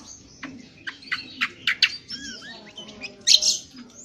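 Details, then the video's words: Rough 'ngriwik kasar' twittering from an Indonesian honeyeater, used for training birds: separate sharp chirps about every quarter second, then short warbled slurs and a harsh high burst near the end. "Cucak Kombo : belajar Ngriwik NGriwik Kasar"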